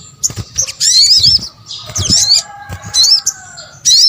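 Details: Sunbird lure sounds, sogok ontong combination: separate bursts of high, wavering, squeaky twitters with looping up-and-down notes, about four bursts with quiet gaps between them.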